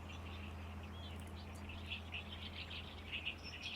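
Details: May song of a great reed warbler in reeds on the Lake Biwa shore: loud, harsh chirrups and creaky notes delivered in quick bursts, with a constant low background drone.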